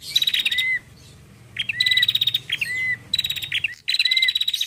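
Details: Female bar-winged prinia calling to lure birds, with quick high ticking bursts closing in a short arched whistle, four phrases spaced by brief pauses.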